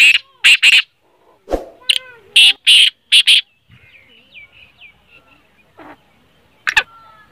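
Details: Black francolin voice used to stir a kept bird into calling: loud grating buzzy bursts in quick pairs and triplets, followed by faint chirping notes and one last harsh burst.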